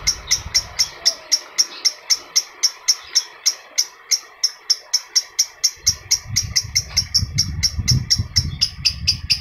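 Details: Adult lovebird chirps aimed at stimulating other lovebirds: a quick, insistent series of piercing notes speeding up toward the end, with low rumbling noise in the latter part.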